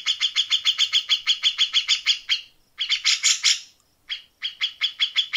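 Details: Cucak jenggot, the grey-cheeked bulbul, in rapid rough 'tembakan' bursts meant for training contest birds: about fourteen harsh, evenly spaced chattering notes, a brief gap, a scratchy burst, then the rapid notes resume.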